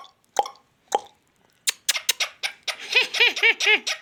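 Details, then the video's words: Talking ringneck parrot gives two sharp clicks, then a run of quick, rhythmic, laugh-like arched syllables, about four per second, growing louder toward the end, indoors. "king of talking |magical |parrot |king |of| magical |ringneck parrot"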